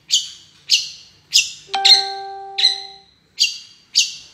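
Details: Long-tailed shrike giving separate harsh, buzzy notes roughly every half second to second; a clear, steady pure tone sounds briefly in the middle.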